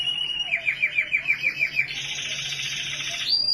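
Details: Canary singing in Norway: a rapid trill of evenly repeated bright notes, about six per second, shifts into a dense buzzy roll and ends on a high sustained whistle.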